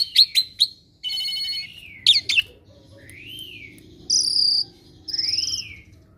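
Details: Asian pied starling, a household bird said to pick up other species' calls readily, mixes sharp ticks, a harsh buzzy note and long arched whistles that rise then fall, with faint insect-like hiss beneath.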